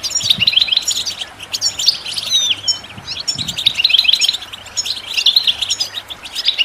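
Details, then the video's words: A European goldfinch sings a fast, tinkling run of high twittering notes and liquid trills, chattering almost without pause over a quiet background, in a recording meant for listening and training birds. "The finest goldfinch chirps and songs"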